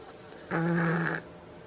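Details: Snore of a common pheasant: one low, buzzy, droning rasp lasting under a second, steady in pitch, in an otherwise quiet setting.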